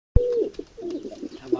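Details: Medium-sized diving tumbler pigeon gives one short, steady mid-pitched coo that fades into a soft burble, after a sharp click at the start.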